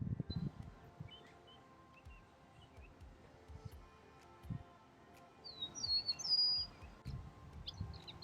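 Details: An Eastern Meadowlark in a sunny spring conservation area with water, beach, grassy fields and forest gives a short run of clear, slurred whistles that fall in pitch, with scattered thin chirps from other birds and low wind rumble underneath.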